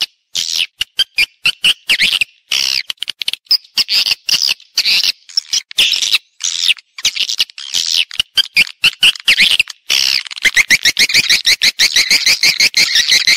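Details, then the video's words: Swiftlet calling and roosting sounds in stereo: rapid, harsh, high twittering bursts repeated about twice a second, becoming a faster, steadier run of ticking chirps near the end. "suara wallet-suara walet panggil + inap stereo-Suara Walet Original Bersih Plus Jernih"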